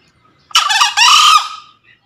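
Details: Male green junglefowl crowing to call out a rival: a brief upward harsh note, a tiny gap, then a longer gravelly note held level and dying away, the whole crow just over a second, in quiet surroundings.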